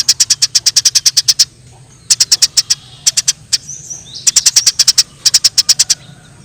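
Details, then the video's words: Fighting Eurasian tree sparrows in the wild: repeated bursts of quick, high, metallic chirps in groups of six to twelve, separated by short silences, with a faint whistle and a low hum. "Suara Gereja Di alam liar Gereja Tarung suara jernih"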